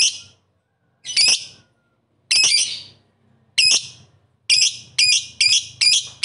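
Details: Lovebird calling to rivals, giving loud, harsh, shrill squawks in separate bursts, first about a second apart and then coming faster toward the end.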